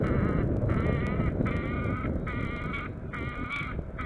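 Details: Peregrine falcon at its nest on Norwich Cathedral, UK, 27 August 2014, picked up by a nest camera; harsh, harmonic calls come in bursts about half a second long, repeated steadily, over a low rumbling background.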